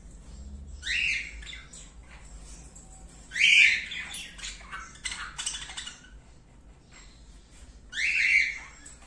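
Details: Indian ringneck parakeets, a newly formed breeding pair of a turquoise-blue male and an albino female, giving three harsh rising screeches spaced several seconds apart, with softer chattering between them.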